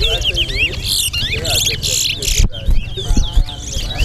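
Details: At a Guyanese towa towa competition, a chestnut-bellied seed finch pours out quick warbled whistles with swooping upward slurs and short trills, set against chatter from onlookers and a low hum.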